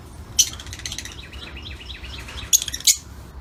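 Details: Lutino Fischer's lovebirds, yellow birds kept in an outdoor aviary, giving faint, quick, high chirps in a loose chattering series, with a few sharp louder clicks or squeaks standing out near the start and end.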